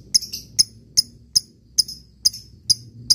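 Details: Lovebird giving short, sharp high chirps spaced roughly every half second, a steady series of clipped metallic notes over a faint low hum.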